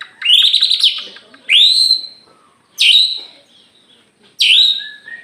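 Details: Energetic song from an Aceh white-rumped shama opening its tail: four powerful phrases, each a fast upward-swooping whistle that levels into a ringing held note, the first preceded by a rapid stuttering trill.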